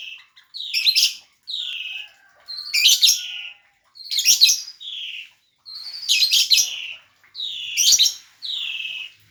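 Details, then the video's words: Lovebird calling repeatedly. Short whistled notes alternate with loud, harsh, shrill squeaky bursts, roughly every one and a half seconds, in a quiet setting. "burung lovebird"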